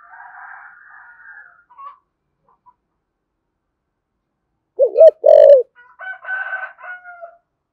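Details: Spotted dove of the thổ sấm style gives a single low phrase: a wavering short coo, then a longer mellow note. Soft chirping from other birds comes before and after it.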